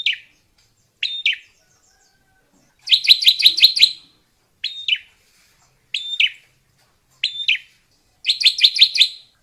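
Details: Wild drongo singing in natural surroundings: sharp whistled notes alternate with rapid bursts of four to six buzzy chattering notes, phrases separated by short pauses, clean quiet background.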